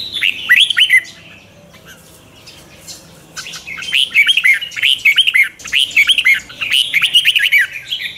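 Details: Red-whiskered bulbul in morning chè-style lure singing for training other birds: a short opening phrase, a pause, then a run of repeated bright, looping whistled phrases rising and dropping quickly.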